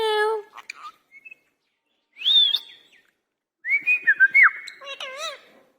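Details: Talking Indian ringneck parakeet described as angry: a held buzzy syllable, a rising whistle after a pause, then a rapid string of clipped whistled notes and a wavering voice-like phrase.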